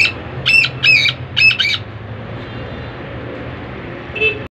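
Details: Black francolin calling: a quick run of harsh, grating notes in two clusters over the first two seconds, then quiet with low hum, and one more short note near the end.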